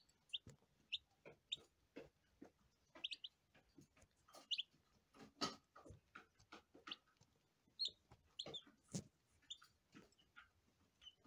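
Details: Sparse high peeps from day-old lavender Ameraucana chicks come every second or two, scattered among frequent sharp clicks and tapping noises.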